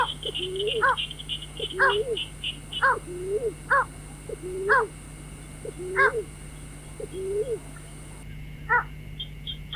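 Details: Lure recording of a white-breasted waterhen for night trapping: clipped harmonic notes roughly every second, each trailed by a lower rising-falling slur, with high twittering chirps and a constant whine in the background.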